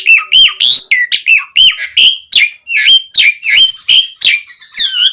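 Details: Asian pied starling singing vigorously as a lure for other starlings: rapid, repeated whistled phrases that dip and rise, interspersed with rasping notes, about three per second and fairly irregular.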